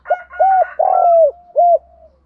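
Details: Spotted dove calls used to stimulate and lure other doves: a low cooing phrase of short hooting notes and one longer drawn-out coo, ending in a fading tail, with a faint higher rooster-like crow in the background.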